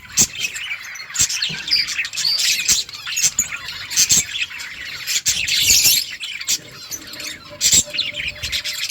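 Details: Budgerigar flock in a colony, dense overlapping chirps and squawks, high and scratchy, with short warbled notes and some wing flutters.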